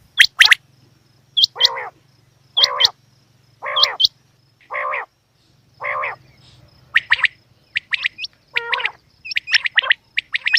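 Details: Female quail: paired high hooked whistles, each followed by a nasal, buzzy note, spaced about every second, then a faster string of chirps; a low hum runs beneath.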